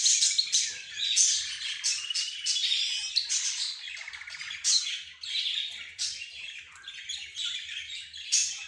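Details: Several caged pet birds calling together, among them budgerigars, zebra finches, a rose bird and a canary. Dense, busy high chirping with harsh squawky bursts and a brief rattling trill near the middle.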